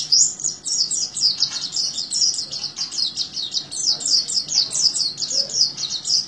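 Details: An Oriental white-eye in full, trance-like continuous song pours out a fast, unbroken stream of high, thin twittering notes that tumble and chirp without pause, over faint low background hum.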